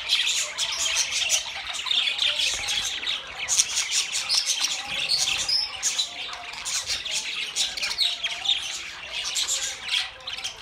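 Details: Budgerigars in a group keep up busy twittering: overlapping shrill chirps, brief whistles and rasping squawks, unbroken from start to finish.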